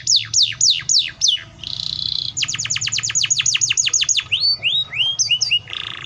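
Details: Loud canary song built from tours: five falling whistled sweeps, a brief buzzy trill, a long rapid series of downward strokes, then upslurred chirps and a final buzz, over a steady low hum.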